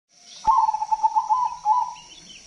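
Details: Loud, vigorous zebra dove song used as a lure for other doves: a long rolling trill of rapid pulsed coos, steady in pitch, cut briefly and resumed, over a constant high hiss.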